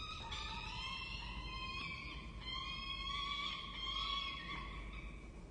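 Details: Peregrine falcon nestlings on a university campus in Orange, Australia, being fed by their parents on 23 October 2023: continuous shrill, harmonic begging wails sliding up and down in pitch, several voices overlapping, with background hum.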